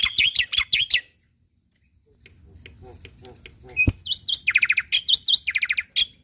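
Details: Lively black-winged myna song used to trigger singing in other mynas: a quick run of rasping notes, about a second of near silence, a sharp click, then rapid buzzy chatter with upslurred whistles.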